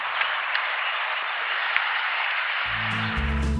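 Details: Steady broadband hiss like applause or rushing noise, with music and low tones coming in near the end; no animal calls.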